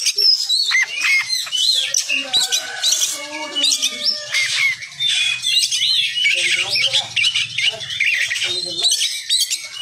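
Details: A kept Oriental magpie-robin, recorded as a tutor song for contest songbirds, sings a fast, continuous run of high whistles, chirps and harsh squawky notes over a faint low hum.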